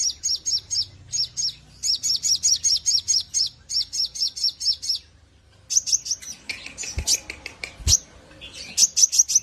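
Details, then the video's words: Javan grey-throated white-eye in full ngleper song, used to teach other birds. Several bursts of rapid, high, falling whistles are broken by short gaps, then a stretch of denser mixed twitters with sharp knocks before the whistles return. "burung sogok ontong /sogon gacor maximal cocok buat masteran"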